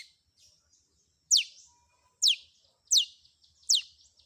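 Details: Long-tailed shrike in a combination 'isian' filler-song training recording: loud sharp high notes sweeping steeply downward, given singly at irregular intervals under a second apart, with faint soft twitters between them.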